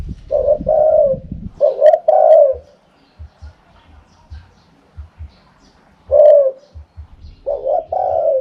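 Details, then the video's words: Wild-style 'karam pa' cooing of a Spotted dove: loud paired coos, a short note then a long mellow hoot, in four phrases separated by pauses with soft ticking. "เสียงนกเขาใหญ่ คารมป่า 100"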